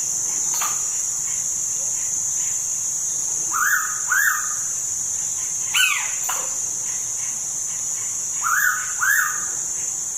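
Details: Pitta at Tha Pom, Krabi, Thailand: paired arched whistled notes repeated twice several seconds apart, with a sharper descending call between them and a continuous high-pitched insect chorus behind.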